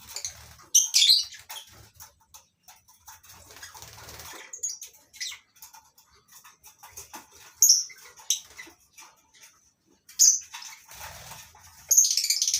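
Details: Morning scene in a lovebird colony aviary on a breeding farm holding masked and Fischer's lovebirds: sharp high chirps scattered across twelve seconds over constant rustling and faint low hum, ending in a louder shrill chatter.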